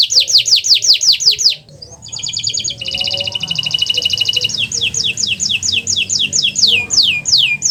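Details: Canary singing in a master recording meant to coax non-singing canaries into song, with rapid repeated descending whistles, a brief pause, a dense buzzy trill, then more steeply falling whistled notes repeated about twice a second.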